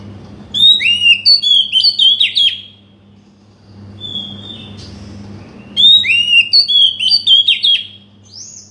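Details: Oriental magpie-robin singing, meant to provoke a silent bird into song: two bursts of rich, varied whistles, each about two seconds of rapid up-and-down slurred notes, separated by a pause with a single thin whistle; low hum throughout.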